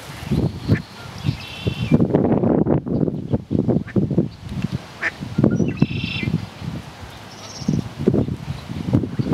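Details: Mallards with ducklings at a meadow spring pond at Mt Shasta, California, on 15 June 2012 give low nasal quacking bursts, with a few thin high peeps from the ducklings scattered through.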